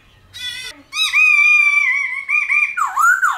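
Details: Black-throated laughingthrush singing in the 'old forest' style of many voices, used to rouse and train wild-caught birds: a brief buzzy harmonic burst, then a long steady loud whistle ending in swooping, dipping notes.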